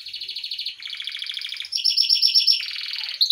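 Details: Pet yellow Belgian canary in full song, moving through several rapid trilled phrases: a buzzy rattle, then a brighter ringing trill, then a lower rolling one, each held about a second, with a clean background.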